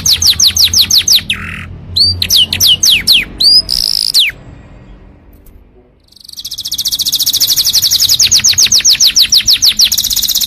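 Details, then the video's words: Canary singing as a tutor and trigger for other canaries: separate high downslurred whistles and a short buzzy note, a quiet pause, then a fast, sustained high trill of rapid repeated notes. "KICAU BURUNG KENARI COCOK UNTUK MASTERAN & PANCINGAN"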